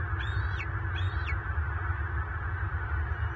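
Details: Bald eagle fight at a Southwest Florida nest, March 24, 2023: a lone father raising eaglets clashes with a pursuing adult intruder. Two quick shrill, whistled chirps with downward-swooping ends, then only a deep wind roar.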